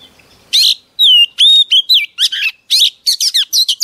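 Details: Female Oriental magpie-robin singing to provoke a male: a harsh opening note, clean falling and level whistles, then a fast string of buzzy, chattering syllables.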